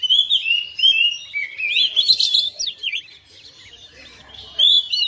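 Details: Oriental magpie-robin kept at home, responding to another bird and bursting into full song: bright rising and falling whistles, quick twisting notes, a brief quiet gap, then clear whistled phrases return.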